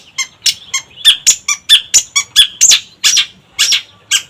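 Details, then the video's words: Long-tailed shrike producing rapid, harsh, squeaky bursts mixed with ringing notes, uneven in rhythm and loud throughout. "Pancingan Cendet Gacor"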